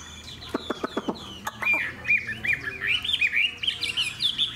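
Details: Caged hwamei, fan-tailed and in good form; several sharp clicking taps open, then the bird launches into fast, loud, rolling whistled phrases climbing higher toward the end.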